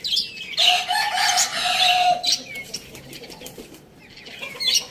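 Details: Rooster crowing in the morning: one drawn-out, harmonic crow lasting about a second and a half, set among dense high chirping and twittering from small birds that keeps going after the crow ends.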